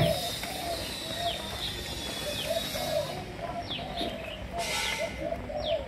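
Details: Captive Malaysian-line spotted doves from a breeding collection give soft, hollow coos in a running series of short rounded notes, while high, sharply falling chirps from other birds and a brief burst of hiss sound nearby.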